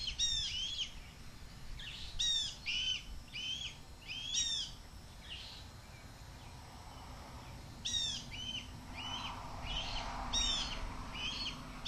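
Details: Young red-tailed hawk, learning from its parents, screaming for food as its mother flies past below the nest, 7.2.23. Bursts of harsh, downslurred screams come in clusters of two to four, with a lull in between.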